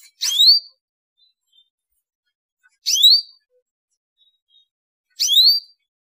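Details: Canary calls used to get other canaries singing: three separate bright chirps, each a quick upward-then-falling whistle, spaced about every two and a half seconds with silence between.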